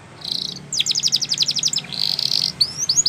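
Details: Spanish Timbrado canary song meant to train other canaries: a short buzzy burst, then a quick series of bright falling notes, a sustained rolled trill and a few rising whistles, with faint low background hum.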